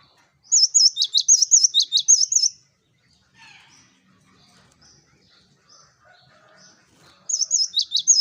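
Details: Cinereous tit singing to lure flocking birds: a two-second run of high, rippling whistles and sharply falling chirps, a near-silent gap with faint distant chirps, then the phrase begins again.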